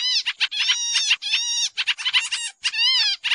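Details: Sooty-headed bulbul lure recording for trapping, described as noisy: dense runs of harsh, nasal chattering notes with rich harmonics, some slurred up or down, coming in quick bursts with brief gaps.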